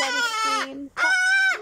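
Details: Male pet cockatoo outdoors in warm sun the day after Thanksgiving, displaying and screaming loudly: two harsh, strongly harmonic screams, the first about 0.9 seconds long and dropping in pitch, then a short gap and a steadier second scream of about 0.6 seconds.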